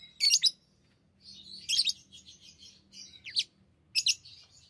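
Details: Pet lovebirds chattering indoors while playing with rings: loud harsh squeaky bursts mixed with twittering and sweeping high notes, faint low hum beneath.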